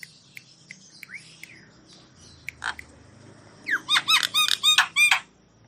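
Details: Javan myna song for stressed or quiet mynas: faint scattered clicks and slurred notes, one harsh rasp, then a loud rapid series of looping, rising-and-falling whistled notes.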